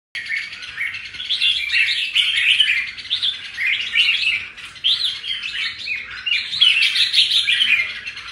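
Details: Caged wild-caught red-whiskered bulbul just through its moult, singing in good form: a dense, continuous run of bubbly warbled chirps and whistles, rising and falling in loudness over eight seconds, with no other clear sounds.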